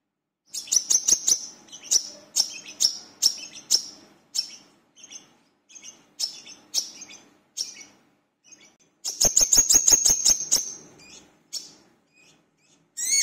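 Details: Brown-throated sunbird, called kolibri kelapa, singing energetically as a lure for other birds. Spaced high chirps build into a dense rattling burst of rapid sharp notes, then thin out again.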